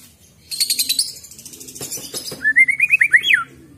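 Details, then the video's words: Wild-caught White-rumped shama: a burst of scratchy, noisy sounds and clicks, then a quick series of bright whistled notes climbing and looping before dropping off. "Suara Glondongan Asli Murai Batu Bikin Emosi"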